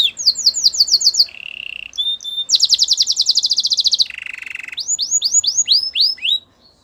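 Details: Canary song of varied sections: quick upslurred notes, a low buzzy trill, a fast high rattle, another low buzzing trill, then a series of loud rising whistles repeated several times per second.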